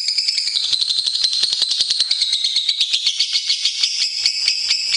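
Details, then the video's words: Lovebird master song for training songbirds, best used in the morning or evening. A continuous, shrill, high chatter of fast rasping pulses runs without a break for the whole stretch, with no other clear sounds. "SUARA BURUNG - Masteran Terbaik Love Bird"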